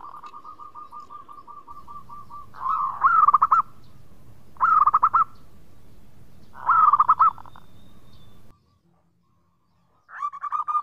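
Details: Local zebra dove of the Indonesian archipelago singing vigorously: three short bursts of rolling, quavering coos spaced about two seconds apart over a steady fast-pulsing note. A low hum runs underneath, then a brief silence before another coo starts.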